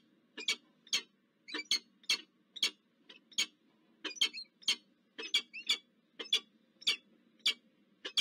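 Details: Peregrine falcon pair meeting at a nest in Zurich, Switzerland, on 22 October 2024: sharp, clipped chip notes repeated roughly twice a second, some doubled, over a faint steady low hum.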